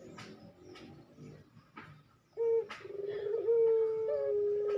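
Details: Ringneck dove (puter) coo from a fast training recording: a few soft clicks and taps, then a short note and a long, sustained, even coo that swells slightly.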